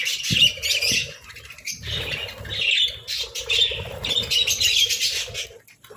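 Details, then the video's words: Budgerigars at breakfast over boiled eggs and bread chatter continuously in high, buzzy warbling chirps that overlap and surge in short bursts, with faint low knocks underneath. "Breakfast Serenade: Budgies' Melodic Chirps over Boiled Eggs and Breads"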